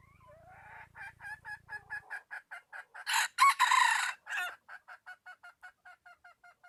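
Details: Junglefowl calling, from 2021, presented as a call that lures birds in well: a rising series of rapid clucks about three per second, then a loud hoarse crow, then the quick clucking resumes and fades.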